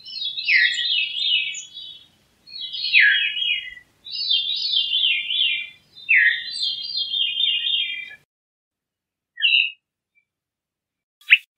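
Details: Repeated Veery phrases, each a ringing, downward-spiraling series of flutey notes about every two seconds, followed by short isolated call notes.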